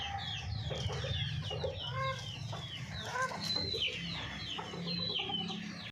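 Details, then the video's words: Domestic hens at a small home farm: busy overlapping high chirps sliding downward, mixed with lower clucks and a steady background hum. "Hen sound effect | Murgi Ki awaz"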